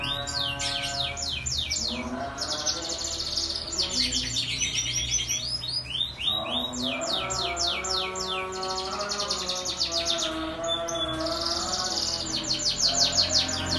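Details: Pet canary in full song, used as a lure to make other canaries sing: long sequence of rapid high sweeping trills with short pauses between phrases. Steady tonal hum or faint music runs underneath.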